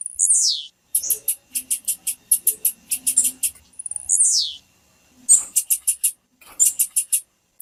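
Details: Female tiziu (blue-black grassquit) piping meant to make males start singing; two long downward-sliding high whistles separate fast trains of sharp, very high chips, the last chip series ending abruptly.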